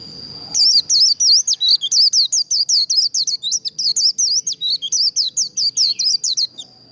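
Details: White-eye 'líu' contest song for training and provoking competition birds: six seconds of dense, rapid high whistles, each rising and falling steeply, delivered in a nearly continuous chain.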